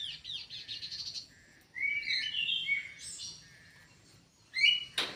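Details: Kidangan kaso kaso bird in an aviary, singing a fast chattering opening, then a sequence of clear slurred whistles at varying pitch, ending with a sharp chirp, over low background hum.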